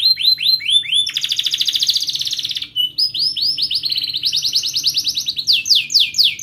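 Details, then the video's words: Canary in sharp, rolling song used to teach young birds and restart silent ones: quick downslurred chirps, a long rapid trill, then rising and falling rolls and repeated swooping notes. "Kenari Gacor Cuit cuit Ngerol TAJAM, TERAPI AMPUH Kenari MACET, Pancingan Kenari Paud Belajar Bunyi"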